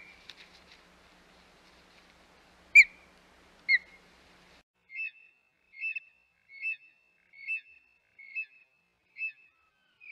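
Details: Osprey at the Hog Island nest on 25 May 2021: a couple of sharp high chirps, then a soft series of short whistled peeps spaced about once a second, with faint scratchy chatter at the start.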